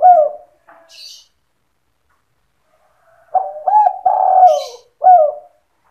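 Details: Lure call of a spotted dove for trapping, the 'sandung kuk' style, opening with a clipped coo, then a long stuttering low coo with a drawn-out rolling middle and a final short note; faint high chirps from another bird.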